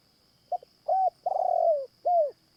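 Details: Caged decoy Spotted Dove at a morning trapping session for luring wild doves, giving one cooing phrase: a short double note, a steady hoot, a long wavering coo sliding down, and an arched closing note; constant high insect whine behind.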